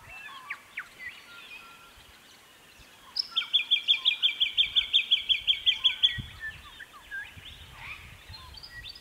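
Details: Song of a Jacky winter (Microeca fascinans), recorded about 9 to 9.30am in early spring, September 2018, on restored private land in the Capertee Valley, NSW: a clear run of roughly fifteen rapid, evenly repeated sharp notes, with faint birds around.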